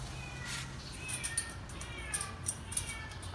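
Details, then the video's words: A pet grey parrot says "hello baby" over and over in soft, slurred, voice-like phrases with wavering pitch, mixed with a few sharp clicks over a low background hum. "Grey Parrot say Hello so sweet"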